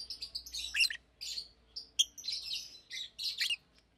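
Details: Two adult Fischer's lovebirds, one pastel green and one blue, singing in a cage during the day: continuous scratchy chatter of high squeaks and chirps with a faint low hum underneath.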